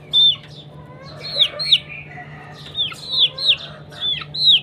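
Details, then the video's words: Morning fight among chickens: piercing, downward-sliding peeps, mostly in close pairs, repeated throughout with brief gaps, over a quiet low hum. "Morning time fight and sound of the chicken"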